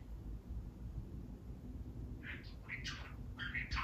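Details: Male pet budgie talking on his own: a quiet hum for the first two seconds, then a burst of scratchy, chattering syllables and chirps that keeps going to the end.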